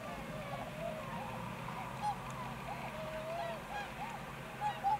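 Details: Whistling swan (American tundra swan) recorded in Akita Prefecture, Japan, 20 November 2020: a steady chorus of soft, bugling honks, arched and overlapping, with a few louder clear notes near the end over low rumble.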